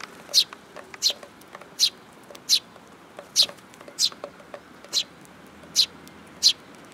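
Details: Sparrows at a Tenmangu shrine coming to be fed, recorded 8 July 2022; short bright chirps repeated about every half to one second, with faint lighter ticks between.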